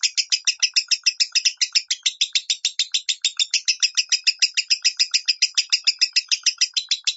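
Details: Lovebird chattering in the 'minor' style, a tutor recording for training birds at home: long unbroken run of fast, grating chirps, about seven a second, steady in pace and loudness.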